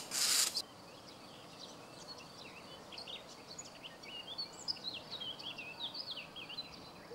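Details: Common starling in a Zagreb grove near Jarun, Croatia, spring 2017, giving a faint, busy chatter of many short high squeaks, clicks and upslurred whistles, after a brief loud noise at the start.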